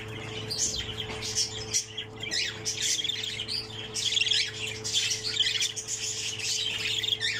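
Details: Budgerigar chick, a pseudo-texas opaline and the last one left in a nest of six, gives harsh, raspy squawks in quick irregular bursts over a steady low electrical hum.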